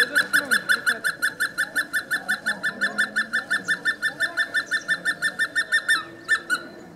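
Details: Hemprich's hornbill filmed at Wollo University or a home in Dessie, Ethiopia, giving a long, rapid series of loud piping notes, about three per second, steady and evenly spaced, ending with a short pause and two final notes.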